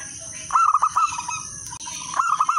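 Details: Zebra dove, a local bird, in crisp melodious song used to lure others: two cooing phrases, each a burst of quick rolling notes trailing into a longer steady tone, with hissing noise behind.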